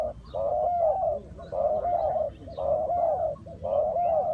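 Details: Trapping decoy spotted dove delivering long, drawn-out, gently falling coos, four phrases in about four seconds, each preceded by a brief lead-in note; faint chirps can be heard in the background.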